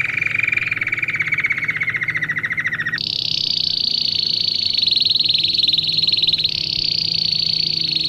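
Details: Song of a domestic canary, used as a tutor for young birds in training: a mid-pitched rolling trill gives way to a sharply higher, dense buzzy roll that continues steadily with a slight upward shift near the end.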